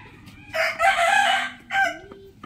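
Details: Morning crow of a rooster, a strained, hoarse call rising into a long rough middle section and closing with a shorter burst, over soft background chatter.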